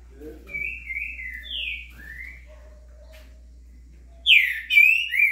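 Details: Green-winged saltator singing the loud 'estourado' song style, with a curricutil heard in the background, recorded on 26 September. Soft whistled slurred notes come first, then a burst of loud, rich whistled phrases near the end, rising and falling.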